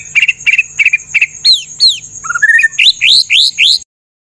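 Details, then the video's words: White-rumped shama tutor song with harsh 'tembakan kasar' shots: four raspy chirps, then falling whistles and a climbing series of loud, rising upslurred notes ending abruptly. "MASTERAN MURAI BATU FULL ISIAN TEMBAKAN KASAR"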